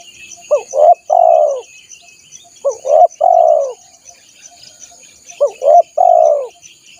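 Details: Spotted dove call used as a lure for wild doves: a three-part coo, two brief rising notes then a drawn-out purring note, given three times at steady intervals over a soft insect background.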